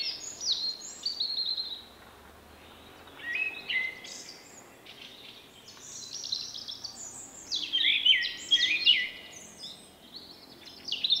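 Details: Common blackbird song from a shy male with a distinctive phrase heard as 'vuippi vuippi vuuu', March 2024; short fluted phrases with brief pauses between them, many ending in squeaky high twitters, over faint background hiss.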